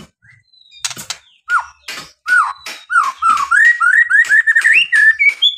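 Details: Murai batu, the white-rumped shama, singing as a provoking lure for other birds: short harsh clicks give way to a steady series of rich, upslurred whistles that climb in pitch, repeated roughly three times a second.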